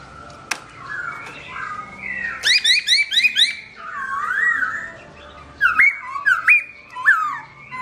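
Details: Garrulax chinensis, the black-throated laughingthrush, singing melodiously while its owner is away, 2017: rapid repeated chirping notes, a long rolling wavy whistle, then loud swooping whistles in quick succession; a sharp click at the start.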